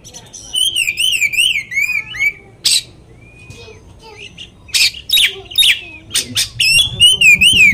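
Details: Oriental magpie-robin singing a varied song used as a lure to make other magpie-robins agitated: wavering, warbled whistles with rapid zigzag notes, short harsh buzzy bursts in the middle, then more wavy whistling near the end.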